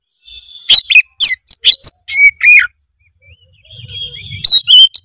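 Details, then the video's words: Oriental magpie-robin singing 'gacor full isian' to coax idle birds into song: a rapid series of sharp, emphatic notes ending in two drawn-out downward whistles, then softer warbling with a faint low rumble behind. "kacer gacor full isian memancing kacer malas bunyi menjadi gacor"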